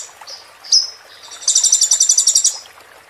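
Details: Konin, the olive-backed sunbird, in a training recording for moulting birds: a thin high whistle and sharp note, then a rapid buzzy trill of about ten pulses lasting one second.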